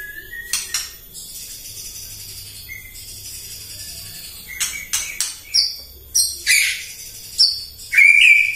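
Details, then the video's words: White-rumped shama singing in the morning as a lure to provoke other birds: sharp clicking notes and scattered high whistles rising through the phrase, ending in a louder warbled whistle, over a faint low hum. "PAGI-PAGI MURAI AUTO EMOSI MENDENGAR PANCINGAN INI❗ GACOR FULL❗❗"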